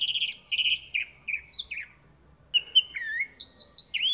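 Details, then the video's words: Song of a chalk-browed mockingbird, made of loud slurred whistles and downward-sliding notes, then a short pause before a fresh burst of rising and falling chirps repeated several times. "Calandria Grande Canto - Calandria Grande - Chalk-browed Mockingbird Bird Song - Mimus Saturninus"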